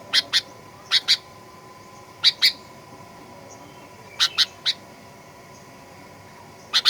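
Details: Sooty-headed bulbul in energetic fighter style, used as a lure to make birds sing aggressively: clipped, bright chirps in doubled bursts separated by pauses of about a second, with a constant low hum behind.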